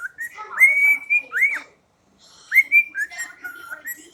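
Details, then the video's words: A pet cockatiel whistles part of September, two bursts of rising, sliding whistles and sustained clear tones separated by a silent gap of about half a second. "Harley The Cockatiel: September"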